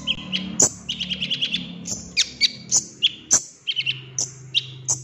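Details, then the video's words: Golden-fronted leafbird lure recording for making konin sing and display their mimicry: fast, jumbled high chirps and whistles, short trilled runs and sharp accented notes, over a steady low background hum. "PANCINGAN KONIN AGAR GACOR BONGKAR ISIAN"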